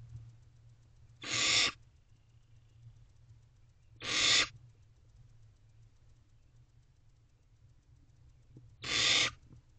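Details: At dawn on 16 May 2023, barn owlets sway together inside a nest box. Three loud rasping hiss-screeches are spaced about three to five seconds apart against a faint constant low hum.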